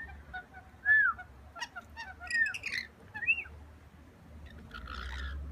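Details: Wild rainbow lorikeets peering in a window, begging for food; a few loud, slurred squeaky whistles, some rising and some arched, mixed with brief chattering notes and a low steady background rumble.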